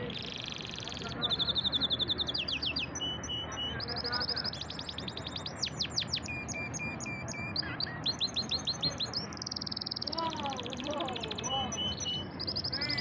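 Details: Pet canary singing a long varied song: rapid repeated trills and sweeping whistled notes, high-pitched phrases changing every second or two, with a steady low background hum.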